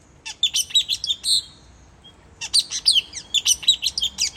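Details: Lure call of a puling bird, Sabah: two quick bouts of shrill, high-pitched chirps and short downslurred whistles, broken by a half-second gap of near silence.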